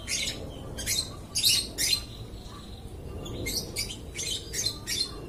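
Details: Lovebird chirping nonstop: bursts of sharp, high chirps and squawks clustered in quick runs with short pauses, plus a faint thin whistle between them.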